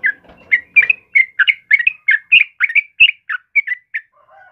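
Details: Quick-fire bubbly whistled phrases from a yellow-vented bulbul, each note slurring down then up, after a faint low murmur at the start.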